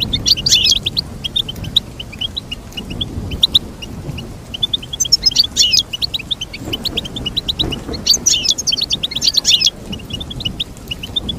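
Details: Goldfinch song: a continuous stream of bright chirps rising into denser tumbling twitter bursts, with background rumble throughout.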